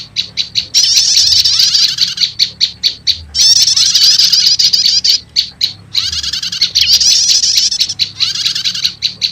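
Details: Prinia lure mix of prenjak lumut and prenjak setater, meant to draw wild prenjak lumut fast; loud high chattering phrases separated by runs of clipped, evenly repeated tick notes.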